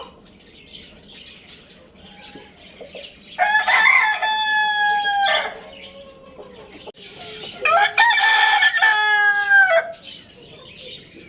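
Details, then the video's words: Lohmann Brown rooster, described as at Lalukhet bird market, crowing twice: two long, loud, harmonic crows about four seconds apart, each roughly two seconds, over steady high chirping of small caged birds. "Amazing Rooster Crowing Sound Effect"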